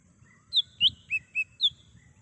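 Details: In the wild, a lesser green leafbird gives a quick run of five clear whistled notes, each slurring downward, about four per second, used as a lure and calling sound, with soft low rumble underneath.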